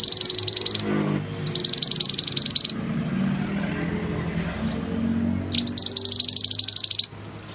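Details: Mantenan bird song used as a tutor recording for other birds: bursts of rapid, sharp, high chirps repeated about four per second in trains of one to two seconds, separated by pauses, with a low rumble underneath.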